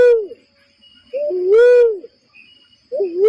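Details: Barred cuckoo-dove coos used to lure birds into traps: the end of one call, then a full phrase of a short rising note and a powerful drawn-out 'whooo', and the next call beginning.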